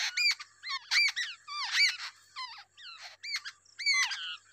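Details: A wild babbler feeds two different chicks while high squeaky notes come in clusters roughly every half second, each note sliding downward, mixed with brief rasping chatter.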